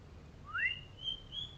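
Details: Golden Shama white-rumped shama singing during its morning sunning: one loud upward-sweeping whistle followed by two long, level high whistled notes, in quiet surroundings.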